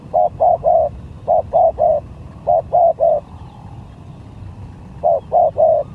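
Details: Spotted dove singing as a lure bird in a skill contest: groups of three low, hollow coos, the last note longest, repeated with pauses of about a second; steady low rumble underneath.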